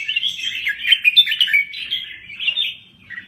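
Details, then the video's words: Thai red-whiskered bulbul in vigorous song: a fast, dense burst of chattering, bubbling warbles that fades toward the end. "Kicau Burung Merbah Jambul Gacor"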